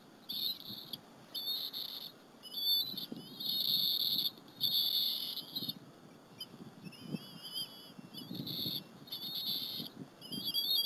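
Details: Two bald eaglets sharing a squirrel with their mother at the Berry College nest, afternoon of 30 April 2015: loud, insistent high-pitched whistled squeals in long repeated bursts, some wavering and trilled, over soft rustling.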